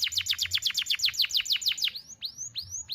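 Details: Canary song used as a tutor recording for young canaries: a rapid trill of sharp descending notes, about eleven per second, then several slower upward-sweeping whistles.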